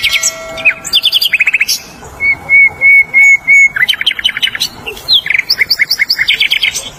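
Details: Wild flycatcher in full song, mixing fast chattering trills with four clear, evenly spaced whistled notes near the middle, then brisk ticking runs and shrill high notes, all close and loud.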